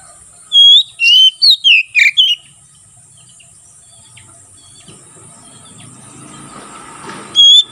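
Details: Ngeplong-style song of an Oriental magpie-robin, used as a training model and forest lure: six rapid loud whistles open, then a quiet stretch with rising rustling noise and a final single whistle.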